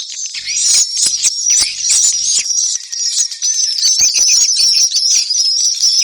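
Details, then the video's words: Swallows calling together in a dense, high twittering chorus of quick chirps and sharp squeaks, with brief louder bursts in the first two seconds and no other sounds. "ang pinakamagandang swallow call sound"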